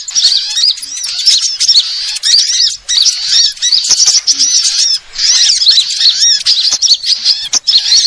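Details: Sunbird lure sound: high, squeaky chirping in dense runs of about two seconds, separated by brief gaps, many notes overlapping.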